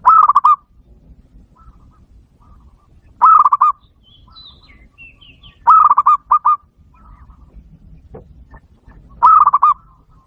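A zebra dove gives short, stuttering bursts of soft rolling coos about every three seconds, with faint high chirps from another small bird in between.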